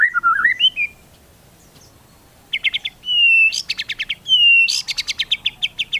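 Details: White-rumped shama fill-in song, used as a lure to provoke other shamas into singing: a short wavering whistle, then bursts of rapid high chipping notes broken by long, smooth, slightly falling whistles.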